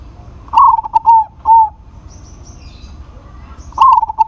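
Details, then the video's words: Local zebra dove in full voice, calling to a rival: a short burst of low, mellow cooing notes near one pitch, several quick hoots with clicky onsets, a pause, then the phrase begins again; quiet background otherwise. "PERKUTUT LOKAL GACOR MEMANGGIL LAWAN PASTI NYAUT"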